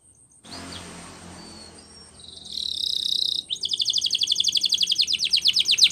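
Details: Canary training song: after a second of near-silence and a faint low hiss, a high buzzy roll builds, then breaks into rapid repeated downward-sweeping notes at about four per second.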